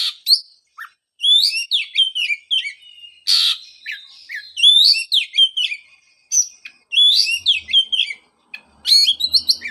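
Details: Oriental magpie-robin song used as a prompt for a kept bird stopped singing after moult; continuous varied whistled phrases with slurred notes, a brief harsh rasp, and quick repeated high chirps.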